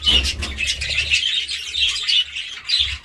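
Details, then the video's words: Lively budgerigar chatter: continuous squeaky, scratchy chirping and warbling with clicky accents, fairly loud and even, a low hum audible at times. "budgie sounds"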